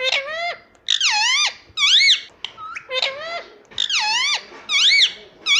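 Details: Pet Indian ringneck parrot talking, copying mummy and papa: loud, squeaky, nasal syllables that swoop down then up, given in quick bursts about once a second, in a quiet room.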